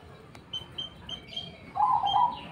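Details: Cemani-type zebra dove with a unique singing tone: after a sequence of short high chirps from other birds, a loud rippling coo phrase fills the final second.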